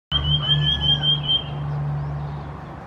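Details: Common Iora (Aegithina tiphia) calling at Khao Yoi, Phetchaburi, Thailand, in August, giving one long, high, slightly wavering whistle lasting about a second and a half, over a steady low engine hum.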